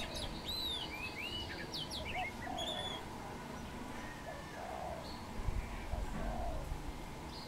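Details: Wild dove perched in a tamarind tree; after an opening burst of sharp whistles from other birds, its soft low coos come in a repeated series in the second half.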